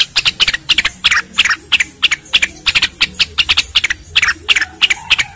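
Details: Cucak rengganis song used as a training track for other songbirds: dense bursts of sharp, high chirps, several per second, in rapid close-packed phrases, with a faint low murmur beneath.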